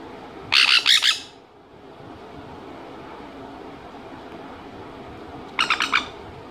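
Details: A 3-month-old sun conure (Aratinga solstitialis), filmed while eating papaya, gives two bursts of harsh, rapid squawks separated by a quiet pause.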